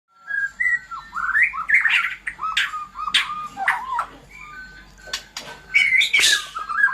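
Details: Caged white-rumped shama in Indonesia, kept apart because it often disturbs other hanging birds, sings varied clear whistled phrases that rise and fall, with quick slurred notes and a few harsh scratchy bursts between them.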